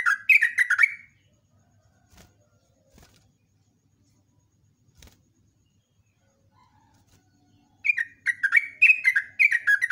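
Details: Yellow-vented bulbul song recorded in the morning for use as a lure, in a long rapid-fire 'ropelan' style. Bubbly, chattering bursts of notes open the recording and return near the end, with a quiet stretch between them.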